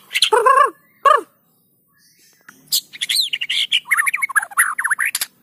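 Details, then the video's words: Actively singing white-rumped shama, played to draw song from lazy shamas: two harsh harmonic nasal notes, a pause, then a fast varied medley of high slurred whistles and chattering phrases. "PANCINGAN MURAI BATU GACOR!! Murau Batu Malas Akan segera ikut Gacor"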